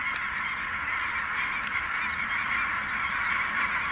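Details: Clamorous honking of a snow goose flock rising at Merced NWF, a loud steady chorus of nasal barks with almost no other sound beneath.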